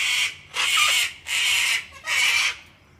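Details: Harsh, broadband cockatoo screeches from a wild flock being hand-fed on a deck at an Australian home in cold, wet winter weather; three loud raspy bursts, each about half a second, with short gaps between.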